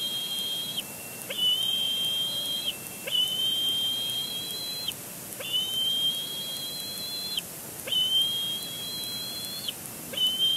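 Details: Bald eagle chick at its nest at Big Bear Lake, 27 April 2022, squealing at its father after he lands, seemingly throwing a tantrum for food: long, steady, high whistled squees, each about one to two seconds, repeated roughly every two seconds.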